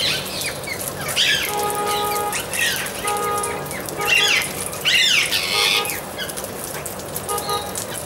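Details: Amazon parrot giving harsh, raspy squawks in short bursts, some with a steady nasal tone, repeated irregularly over about eight seconds, with chirps and a busy, noisy background.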